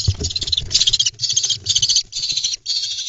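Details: A lesser kestrel nestling on a nest-box cam at Ramat HaNadiv, Israel, is fed a mouse on 1 June 2021. It gives harsh, high, hissing screeches in rapid bursts of about a third of a second over a low muffled rumbling.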